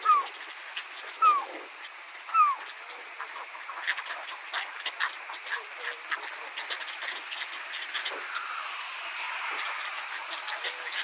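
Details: Herring gull in Saitama, Japan, giving three short, downslurred mewing calls about a second apart, then a busy chatter of other birds and clicks in the background.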